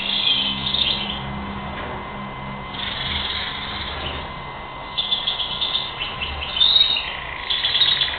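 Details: European goldfinch from April 2021 singing in short twittering spells with a few sharp high notes, broken by quieter stretches, against a constant faint hum and muffled low noise.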